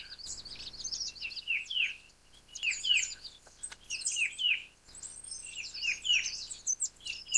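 Verditer Flycatcher giving high, bright twittering bursts, with quick downslurred chirps repeated every half second or so and fine squeaky notes above.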